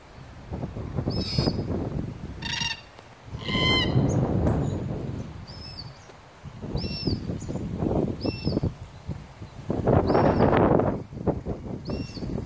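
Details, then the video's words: Red-tailed black cockatoos in a weeping princess tree, Duncraig, Western Australia, 11 January 2020: two short, harsh, grating calls over steady foliage rustling, with a smaller bird's high, thin chirps repeating throughout. "Red-tailed black cockatoos"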